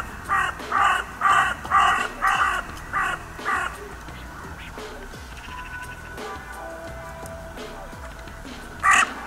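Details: Rapid series of about seven rough crow caws in the first four seconds, then mostly music with one last caw near the end; Steinrevier site, 6 January 2022.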